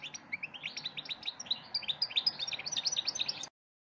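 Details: Black siskin giving a fast, continuous twittering song of high chirps and trills that quicken and rise in pitch as it goes, then cut off abruptly before the end.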